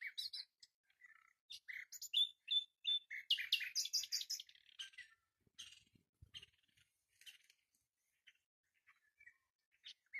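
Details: Common nightingale singing: a rapid varied run of sharp chirps, trills and whistled notes between about 2 and 8k, in dense bursts for five seconds, then sparser scattered notes with pauses.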